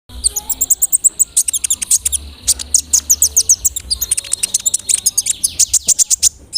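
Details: Brown-throated sunbird, a large-bodied, actively singing male, used as a lure to provoke other sunbirds. The song is a dense, rapid run of very high, sharp chirps and ticks in steady bursts with almost no pause.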